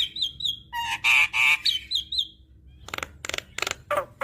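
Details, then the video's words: Javan myna singing with many varied phrases, played to stimulate a bird that will not sing. Thin whistles are broken by loud honking squawks, then a run of harsh noisy chacks. "Burung Jalak Kebo Malas Bunyi Rutin Putarkan Ocehan Jalak Kebo Makun Gacor Full Isian Ini"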